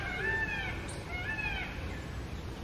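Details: An Indian peacock on a house terrace screams loudly: two nasal, cat-like wails, each rising then falling and about half a second long, a second apart, over steady low rumbling background noise.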